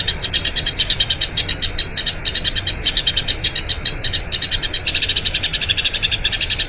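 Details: Long rolling song of a Eurasian tree sparrow, used for training other birds: a steady stream of high, sharp chirped notes in quick succession, slightly uneven in rhythm, over a faint background hiss.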